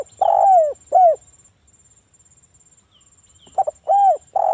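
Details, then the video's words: Cooing of a local spotted dove, played as a lure to set other doves calling; two phrases of short stuttered coos and longer downslurred notes separated by a quiet gap, with faint high-pitched ticking throughout. "TEKUKUR GACOR suara merdu - PANCINGAN TEKUKUR AGAR BUNYI"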